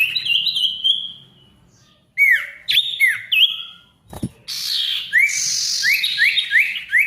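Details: Ashy tailorbird song used to restart silent tailorbirds: sweet whistled phrases, loud upswept and downslurred notes, a sharp thump, then buzzy chatter and fast repeated rising whistles.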